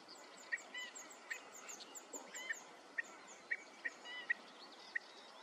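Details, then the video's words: Wood sandpiper (Tringa glareola) giving sharp, high single notes about every half second to a second, with faint insect ticking and a steady noisy background. "Wood Sandpiper, Piro piro boschereccio (Tringa glareola)"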